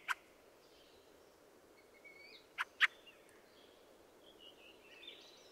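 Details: Fieldfare (Turdus pilaris): one sharp clack at the start, a thin squeaky twitter, then two loud harsh clacks close together, followed by quieter wheezy warbling.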